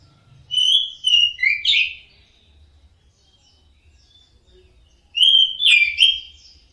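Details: Orange-headed thrush (anis merah) delivering two phrases of rich whistled and slurred notes, the second after a pause of about three seconds, over faint low rumble.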